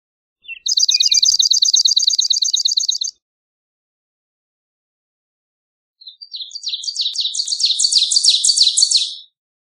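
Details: Swamp sparrow giving two trilled songs: first a fast, level rattle of repeated bright notes for two and a half seconds, then after a pause a second trill that starts lower, rises and grows louder.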